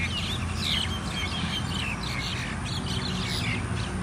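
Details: Several mynas in a group fight: continuous scratchy chattering and a few piping whistles, crowded together, with low rumbling noise underneath.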